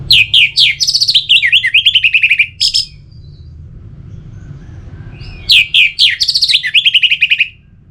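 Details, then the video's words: Orange-headed thrush song for keeping a bird singing steadily: two long bouts of fast repeated chirped and trilled notes, separated by a quiet pause with faint hum. "Pemancing Burung ANIS MERAH Agar Selalu Gacor"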